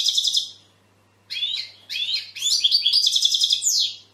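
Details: European goldfinch in full song, a caged or aviary bird: dense run of rapid tinkling notes and buzzy trills after a short pause, loud and continuous for nearly three seconds, over a faint background hum.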